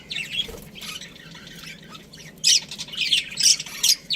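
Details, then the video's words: Australian budgerigars, a breeding pair, give scattered harsh squawky chirps, quiet at first, then louder bursts of buzzy chatter in the second half, with a low background hum. "Budgies Parrot chirping sounds | Australian budgies breeding pair"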